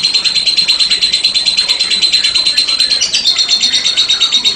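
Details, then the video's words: Lovebird in sustained 'ngekek' trilling, a rapid high-pitched rattle of tightly packed notes that steps slightly lower in pitch after three seconds. "PESONA LOBET SEDANG NGEKEK PANJANG"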